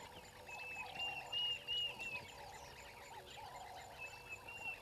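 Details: A water thick-knee at Gowrie dam waterhole, Djuma Game Reserve, Sabi Sand, South Africa, at 06:23 on 23 December 2021, gives thin clear arched whistles in two short bursts over a dense chorus of frogs, insects and birds.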